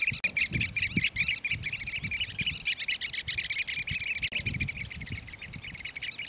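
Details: Several Eurasian oystercatchers displaying at Port Carlisle near Bowness on Solway, Cumbria, in a loud, continuous piping chorus of rapid, shrill, overlapping notes, with low wind rumble beneath.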